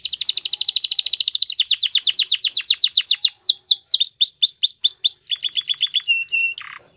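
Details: Belgian canary in a training video sings high, rapid trills, switching every second or so to a new repeated note: fast buzzy rolls, then swooping whistles, then sharper chips.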